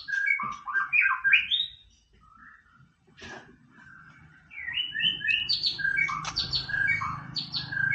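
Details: White-rumped shama singing vigorously, a song meant to rouse a rival: rich whistled and slurred phrases, a pause near the middle, then a denser burst of varied notes, with faint low background rumble.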